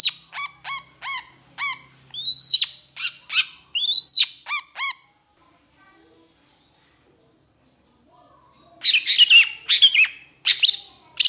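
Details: Long-tailed shrike singing in an excited state, mixing harsh, nasal stacked notes repeated in a series with two upslurred whistles, a quiet gap, then a jumbled burst of scratchy chatter.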